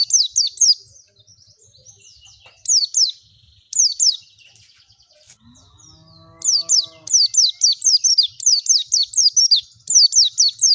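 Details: Oriental white-eye (pleci) song used as a lure to make a bird open its beak and sing; high, rapid downward-sweeping chirps come in quick bursts with short pauses, and a brief lower humming harmonic tone sounds midway.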